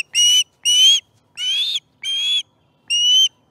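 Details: Osprey calling at its nest during a morning fish feeding on 18 September 2019: five clear, high whistled notes with a slight upward bend, each about a third of a second, spaced roughly half a second apart.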